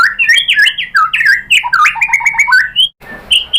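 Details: Lure song of the murai batu (white-rumped shama) from Indonesia, used to provoke an answering bird. Loud, rich, varied whistles and slurred notes tumble in rapid succession, then a brief pause precedes a few high notes.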